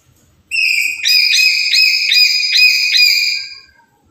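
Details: Black-capped lory, a captive bird calling every day, used as a lure and master song: a clean burst of bright, ringing whistled notes with stacked overtones, about six quick pulses over three seconds, then silence.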